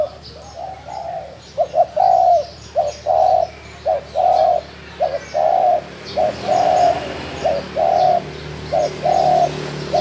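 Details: Spotted dove of the 'thổ đồng' type cooing: low hollow phrases of one or two short notes followed by a longer drawn coo, repeated steadily for ten seconds, with faint higher chirps in the background.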